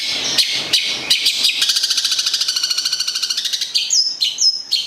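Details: Local long-tailed shrike from Gedong Songo, Central Java, singing: a few harsh buzzy notes, then a fast even rattling trill of about two seconds, ending in sharp high downslurred whistles.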